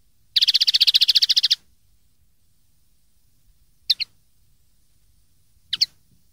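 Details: Song of a common linnet from a 2013 recording made for young linnets to copy: a fast buzzing trill of some fifteen pulses, then two widely spaced pairs of sharp chipped notes.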